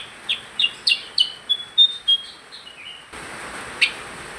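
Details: Percang singing energetically: quick bright chirps in a rapid series, then clear whistled notes stepping downward, followed by a burst of background hiss with one more sharp chirp.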